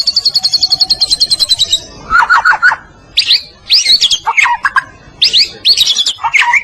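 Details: ['White-rumped shama of the Medan type, a vigorous singer used as a master recording for training other birds: a rapid high trill of repeated notes, then lower slurred whistles and sharp, varied high phrases with short pauses.']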